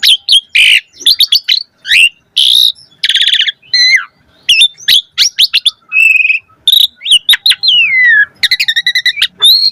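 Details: Continuous rich song of an Asian pied starling, played as a lure for starlings: dense mix of harsh rasping bursts, clear whistles, a long falling slur and rapid ticking notes near the end.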